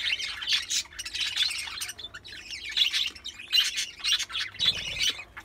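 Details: Budgerigars chattering in quick, scratchy bursts of high chirps and squawks while mating.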